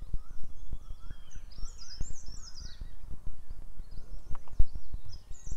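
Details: Black drongo at sunrise in a protected rhododendron forest wilderness; high whistled and metallic notes, rising and falling sweeps repeated in short phrases, over a steady run of low clicks and ticks.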